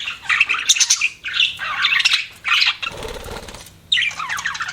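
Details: Pet budgerigars chatter in scratchy, warbling bursts, broken near the three-second mark by a short rustle of wing flapping before the chirping resumes.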